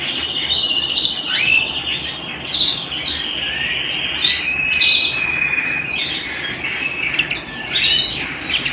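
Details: Singing canary kept at home, a lively high song mixing sustained whistled tones, rolling trills and sharp rising sweeps, phrases running back to back without pause.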